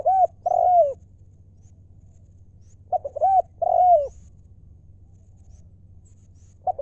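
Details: Spotted dove decoy calling 'lio' style: a phrase of short notes and two mellow arched coos, repeated roughly every three seconds, with faint low hum behind.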